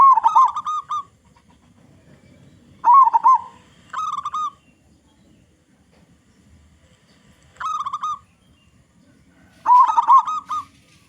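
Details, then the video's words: Local zebra dove with a big, strong voice, used as a lure that other zebra doves respond to. Short bursts of rolling, bubbly cooing phrases, five of them in about eleven seconds with quiet gaps between, over a faint low background rumble. "Perkutut Lokal Gacor Suara Besar Suara Paling di Sukai Burung Perkutut apa saja"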